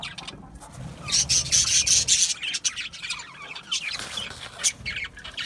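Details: Budgerigars chirping, including a run of high, clear repeated whistled notes early on, then mixed scratchy chatter and squawks from several birds.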